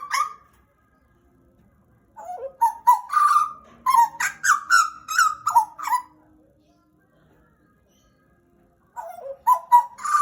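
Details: Pied butcherbird, a caged pet kept about two years, singing loudly: a fluting note, then a burst of rich whistled phrases with rising and falling slurs, a pause, and another short whistled run.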